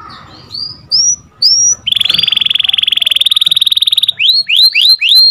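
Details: Canary song used as tutor for a canary that has gone quiet: a few soft rising whistles, a long rapid buzzy trill on one pitch, then several quick up-swept notes.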